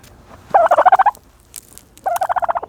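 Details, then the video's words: Two short rattled gobbles from a turkey taking a dirt bath, quick pulsing bursts separated by a soft scratchy rustle. "the special noises of a turkey bathing in dirt"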